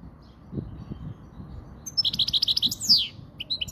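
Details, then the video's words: European goldfinch, Spanish-style song used to tutor young goldfinches and excite females: after a quiet start with low thumps, a fast run of bright twittering notes and a slurred descending note, followed by scattered chirps. "تغريد الحسون الاسباني"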